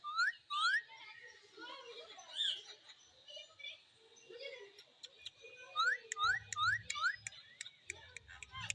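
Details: Parrot giving clear rising whistled chirps, first a pair and later a quick run of four, between softer chatter, with sharp ticking clicks and low rumbles near the end.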